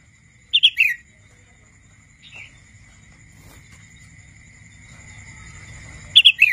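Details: Young wild red-whiskered bulbul still learning to sing gives two quick bursts of bright, warbling chirps about six seconds apart, with a softer note between, over a steady high whine.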